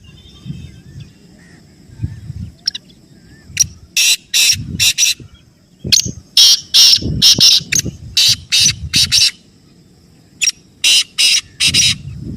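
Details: Black francolin giving several runs of harsh, grating bursts, about four to six per phrase, in a rapid uneven cadence; used for pet-bird calling practice, with soft low thumps between phrases.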